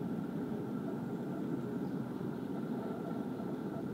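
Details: Steady low rumble of a passing vehicle or aircraft engine fills the recording, with no animal voice audible.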